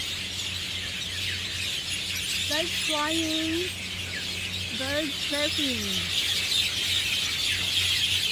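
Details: Myna flock, Javan or Jungle Myna, chirping loudly in treetops at Marina Barrage rooftop, Singapore, on a Sunday afternoon; two bursts of harmonic, bending, squawky calls stand out over dense high chatter and a low steady hum.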